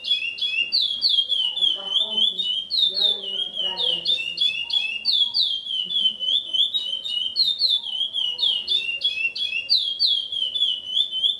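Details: A chestnut-bellied seed-finch (curió), a breeder's foundation male known as an extremely repetitive singer, sings loud, clear whistled phrases that slide downward and repeat without pause, with faint voices murmuring in the background early on.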